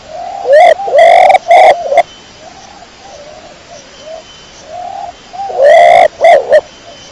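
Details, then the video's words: Pigeon of the type called dara kecor, giving loud, harsh, clipped coos in two bursts: three rough notes near the start and two or three near the end, with softer, hollow coos from another pigeon in between. "THE SOUND OF THE PIGEON CLEAR SOUND"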